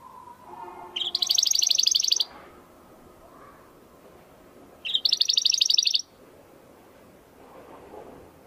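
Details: Domestic canary in a crystal-voice singing recording meant to train competition birds: two short bursts of bright, high, rapidly rattling trill about four seconds apart, over soft background murmur and low noise.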